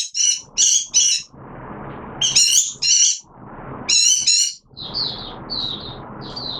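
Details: Caged oriental white-eye (mata puteh) opening into song in wet weather, 6 September 2022: bursts of high, buzzy, chattering notes in tight clusters, then a few thin descending whistles, over steady low background noise.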